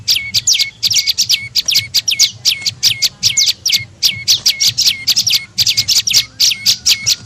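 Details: Tailorbird lure call used to attract birds: rapid, evenly spaced high chirps, many ending in a short lower whistled tail, repeated several times a second throughout, with a faint low hum underneath.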